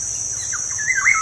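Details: Black-naped oriole song used as a lure for kept birds. Soft whistled notes build into a louder, warbling fluty ending. A constant high insect buzz continues throughout.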